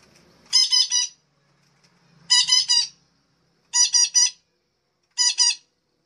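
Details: Red-breasted parakeet lure calls: four tight clusters of two to three coarse, ringing squawks, evenly spaced about every one and a half seconds.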